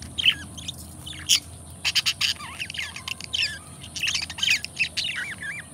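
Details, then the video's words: Two pet budgerigars, companion birds kept together, chattering in a busy warble of squawky notes, rapid buzzy bursts and short rising and falling whistles, with brief pauses between loud phrases. "ASMR Nature 2 Hours of Budgie Sounds: Birds Singing You to Sleep"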